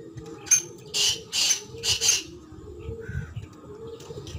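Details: Black francolin giving a rhythmic series of four rasping, buzzy notes about half a second apart over a steady low hum, with softer faint sounds afterward.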